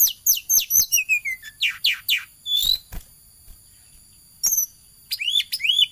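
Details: Lively singing flowerpecker chasing around: quick high sharp notes with steep downward sweeps in the first three seconds, a short pause, then a cluster of rising thin upslurred chirps.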